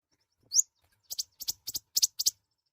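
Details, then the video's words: Mouse-colored sunbird (kolibri ninja, konin), a tiny nectar-feeding bird, singing loudly: one sharp upslurred whistle, then six very high, dry chirps delivered in quick pairs, with no other sounds. "Kicauan suara burung Kolibri Ninja(konin) gacor"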